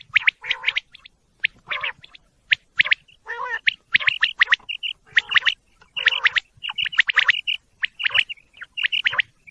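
Quail give a busy run of short, squeaky chirps and harsh squawks, with bursts coming every half second or so. The calls overlap as if from several birds.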